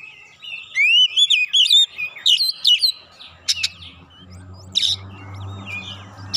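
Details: Lure song of an oriental magpie-robin (kacer), meant to provoke birds into singing. It opens with a quick series of clear whistled, wavering phrases, then gives sparser sharp chirps over a low steady hum.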